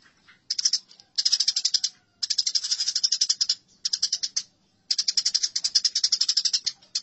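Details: House sparrows fighting, in a recording used for training songbirds: bursts of rapid, harsh, high chirps in dense chattering runs lasting about a second, broken by short pauses.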